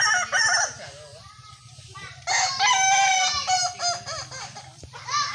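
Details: At a kukuak balenggek crowing contest, a short crow opens, then a long, loud, ringing crow of many linked stepped syllables runs past the midpoint, with rapid rising and falling notes.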